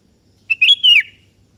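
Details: Kutilang kebo, the sooty-headed bulbul, calling a rival that answers; one short phrase of three quick liquid notes, the last a long whistled slur falling away at the end.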